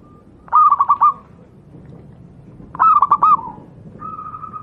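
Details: Zebra dove, called perkutut lokal alam, singing a master song for other doves to learn: two bursts of fast rolling coo notes about two seconds apart, then a steady soft hum-like coo.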